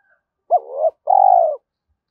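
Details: Spotted dove in the thổ pha thúc lure style: one clean phrase made of a brief upturned note rising into a wavering coo, then a steady, buzzing, slightly falling longer coo, against silence.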